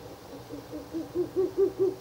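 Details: Night at an owl nest box, 16 April 2024, third night of visits: a Ural owl's hooting starts faint and climbs into several loud, deep hoots in quick succession.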